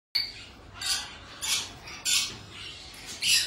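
A young yellow-backed chattering lory gives four harsh, raspy squawks at an uneven pace, roughly one every half second to second, over a faint background hiss.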